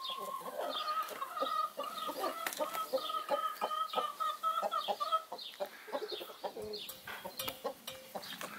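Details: Away from her nest for her one daily outing, a broody Brahma hen keeps up a fast, steady run of sharp, harmonic clucks, several per second, easing toward the end, with small-bird chirps behind.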